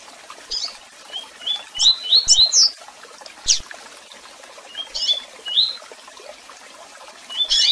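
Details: Tui tui song of a double-collared seedeater, with chirps and calls: brief bursts of quick upslurred whistles separated by pauses, with a sharp high chirp between phrases.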